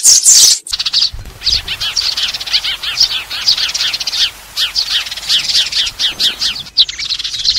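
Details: Sparrow call for summoning the flock, used in bird trapping: a loud opening chirp burst, then a continuous run of quick, descending chirps over a soft hiss.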